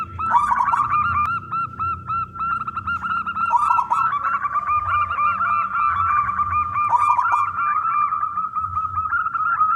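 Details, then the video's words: Local zebra dove in full song, kept to prompt other doves to sing; dense, continuous rapid cooing from several overlapping birds with occasional rolling flourishes. "perkutut lokal gacor suara besar"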